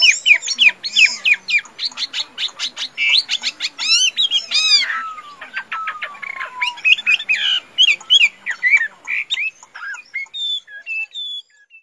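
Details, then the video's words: Tame caged Chinese hwamei singing a fighting song: rapid, varied high whistled notes, trills and sweeping slurs, with a few long falling whistles midway and sparser phrases toward the end. "Họa Mi Thuần, Hót Tốt - Đấu Tốt"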